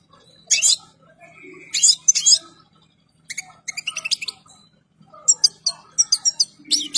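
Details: European goldfinch in full breeding condition sings varied twittering phrases with sweeping high notes and rapid chirp runs in several spaced bursts.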